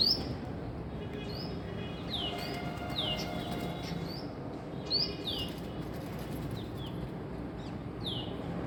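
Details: A female Asian koel in the morning gives sharp, high, downslurred notes in irregular bursts, some overlapping, over a steady low background rumble.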